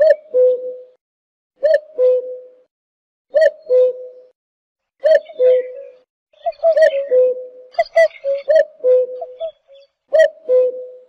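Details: Cuckoo giving its classic two-note call, a higher note falling to a lower held one, repeated about every 1.7 seconds. Other small birds chirp and twitter higher in the background, busiest midway.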